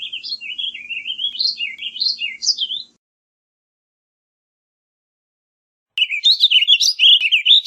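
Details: Warbling vireo, a small North American songbird, singing a rapid, rambling warble of slurred notes rising and falling; one phrase of about three seconds, a silent gap, then another phrase begins.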